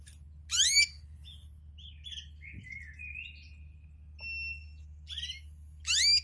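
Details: Male canary singing beside his female while she tends her first egg and adjusts the nest: sharp rising chirps, a few warbled phrases and a pure held whistle, then more loud chirps, over a low steady hum.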